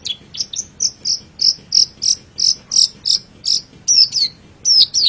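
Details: Pentet cendet, the long-tailed shrike, on a masteran tutor track, giving evenly spaced, high, bright whistled notes about three per second, turning to slurred, downward-swooping notes near the end.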